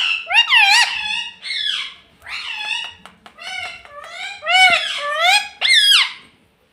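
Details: Green pet parrot talking indoors, repeating 'mummy' and asking for roti: a long, lively run of harmonic, speech-like syllables in quick bursts, with sweeping and wavering pitch and short pauses between phrases.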